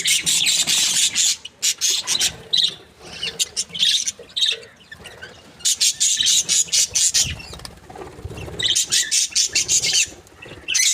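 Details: Budgerigars in a happy mood keep up dense, scratchy chattering, long runs of buzzy chirps broken by brief gaps, sounding like a lively group of birds.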